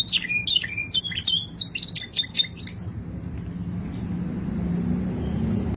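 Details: Canary of the kenari bule type singing a quick burst of high warbled and trilled notes for about three seconds, then stopping, leaving only low background rumble.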